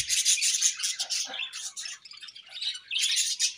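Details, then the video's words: Happy budgies kept at home chirp in fast, rhythmic, scratchy high bursts, with the warbling rising again after a short lull. "𝐇𝐚𝐩𝐩𝐲 𝐁𝐮𝐝𝐠𝐢𝐞 𝐒𝐨𝐮𝐧𝐝𝐬 | 𝐁𝐢𝐫𝐝𝐬 𝐒𝐢𝐧𝐠𝐢𝐧𝐠 | 𝐁𝐮𝐝𝐠𝐢𝐞𝐬 𝐂𝐡𝐢𝐫𝐩𝐢𝐧𝐠 𝐒𝐨𝐮𝐧𝐝𝐬"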